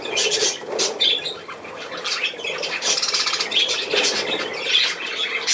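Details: Pet budgerigars playing in a room keep up steady, high-pitched warbled chatter broken by sharp chirps and squawks.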